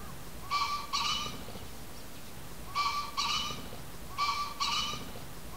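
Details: Wild Japanese pheasant giving a harsh, strongly harmonic two-note crow, repeated three times about one and a half seconds apart, over a steady hiss of background noise.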